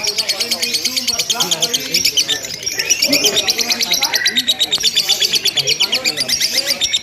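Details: Lovebird in a simulated singing contest, giving long chattering ngekek without pause: dense, rapid high chips repeated steadily throughout, over busy lower chatter and voice-like sounds.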